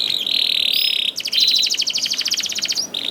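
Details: Young canary singing as a lure to get other canaries singing: a steady high whistled tone, then a rapid pulsed trill, then the steady tone again.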